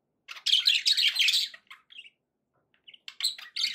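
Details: Pet budgies giving a dense burst of scratchy warbling, then a few short chirps and a quieter gap before the chatter picks up again at the end.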